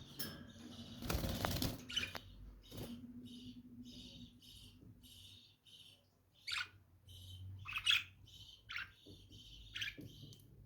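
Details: Shrill, sharp chirps from lovebirds come irregularly in the second half. A steady band of buzzy chatter runs throughout, and a loud burst of rustling noise comes near the start.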